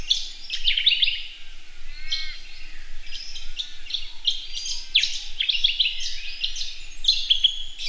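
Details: A male Red-capped robin courting a female gives a busy, nearly continuous run of high, dry chirps and short trilled notes over soft background hiss.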